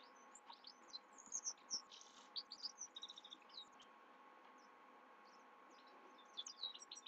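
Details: Himalayan goldfinch singing at night: rapid high twittering notes and thin upslurred whistles in scattered bursts, with pauses, over a steady low electrical hum.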